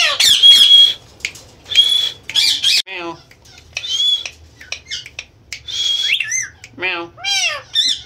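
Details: Indian ringneck parakeet, a pet talking parrot, copying cat meows and speech: wavering meow-like notes and harsh squawks mixed with clear whistled tones, in short bursts about a second apart.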